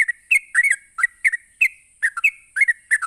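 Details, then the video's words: Sooty-headed bulbul giving quick 'ropelan' phrases meant to stir other bulbuls into answering: clear whistled notes and short slurred doublets, loud and close, over a thin steady high hiss. "Cukup Sekali Pancing Trucuk apapun bakal Nyaut ngropel Emosi dengan suara Ropelan Trucuk ini"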